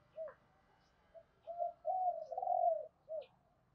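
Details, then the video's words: Spotted dove cooing to stimulate other doves: a soft low coo, then a longer run of mellow, wavering coo notes ending in a short final coo, with faint high chirps from other birds in the background. "Chim cu gáy kích bổi hiệu quả mỗi ngày"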